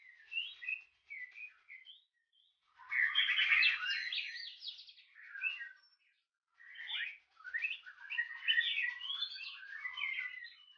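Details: Kept White-rumped Shama from Singapore with a very long tail, singing a varied warbling song of rich whistled and trilled notes in phrases broken by short pauses, the middle phrases loudest, with no other sounds.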